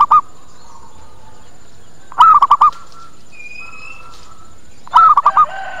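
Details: A zebra dove lure call intended to bring birds in and get answers: clipped phrases of several quick hollow coos recurring about every three seconds, with a high thin whistle from another bird between phrases.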